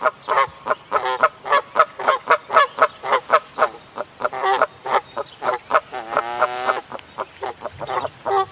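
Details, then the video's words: A Canada goose gives a rapid series of loud, nasal honks, about three or four a second, with one longer, drawn-out honk near the end. "SOUND OF A CANADA GOOSE 🔊 What does a canada goose sound"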